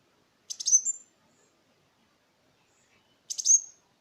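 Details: Kolibri Wulung sunbird lure song for stimulating silent birds and teaching other songbirds; two short bursts of sharp, buzzy chips ending in a high whistle, nearly three seconds apart, with quiet between.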